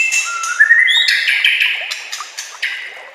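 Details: White-rumped shama song used as a training (masteran) recording, set with nature sounds and trickling water: a rising, smeared whistle that climbs steadily and then breaks into quick, bright repeated notes.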